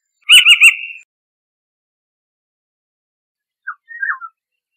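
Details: Eurasian golden oriole opening with a rapid, harsh stuttering call of four quick pulses, followed after a pause by a few soft, low fluty notes.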